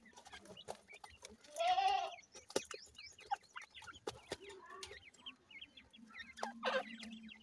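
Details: Grey francolin chicks, known locally as dakhni teetar: thin, high chirps and peeps scattered through the recording, a louder rasping burst near two seconds, and clicks and handling noise throughout.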